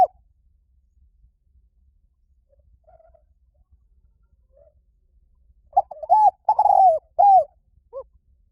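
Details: Spotted dove cooing as a lure to train captive doves to coo back in the lio tan style; after quiet faint notes, a late burst of mellow, hoarse coos with a rolling middle note, then a single short coo.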